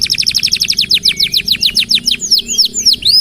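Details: Canary singing energetically, a tutor song for training other birds: a fast, steady run of sharp high downsweeping chips, about six per second, shifting near the end into slower, looping whistled notes.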